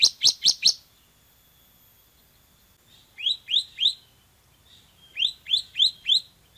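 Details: Bar-winged prinia song, semi type, in a training recording for cage birds: a burst of four sharp high chips, a pause, then two groups of three descending high notes.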